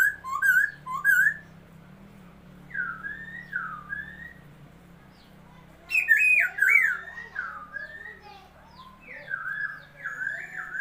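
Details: Laughingthrush, a newly acquired bird, recorded 27 February 2022, singing loud bursts of warbled, swooping whistles mixed with short harsh chattering notes, with quieter looping whistled phrases between bursts over a low steady hum.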